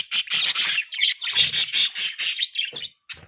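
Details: Budgie chirping: a continuous stream of loud, scratchy, buzzy chirps and warbles, packed closely together for nearly three seconds, then a short gap before one more call.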